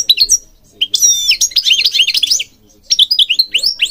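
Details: European goldfinch in Morocco singing for bird training: dense, high-pitched twittering with quick upslurred and downslurred notes, a buzzy tinkling passage, a brief pause, then more bright chirping phrases.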